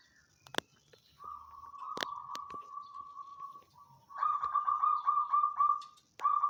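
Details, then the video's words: Caged banyumili zebra dove singing after quickly adapting: a smooth drawn-out trilled coo followed by a louder, rougher rolling phrase, with a few sharp knocks in the background. "gelegar suara manggung Si Kertabumi (kutut banyumili)"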